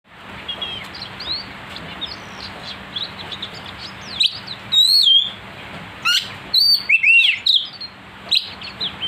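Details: Oriental magpie-robin (kacer) song meant to provoke other birds into agitation, described as a sharp-voiced, constantly singing bird: quiet scratchy twitters at first, then loud slurred whistles, rising and falling notes, and sharp chips in bursts, over a steady low hum.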